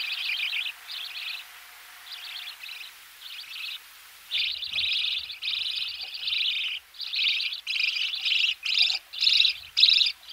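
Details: Budgerigar chicks being fed in the nest, recorded close up: harsh, buzzy high chirps in bursts about half a second long, repeated irregularly roughly twice a second, with soft low knocking noises in the background.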